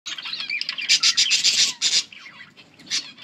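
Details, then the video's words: Budgies chirping and singing, recorded August 19, 2024: a dense run of high, scratchy chirps and warbled squawks, bursts packed closely, with a softer stretch of twittering toward the end. "Budgies chirping and singing Parakeet talking"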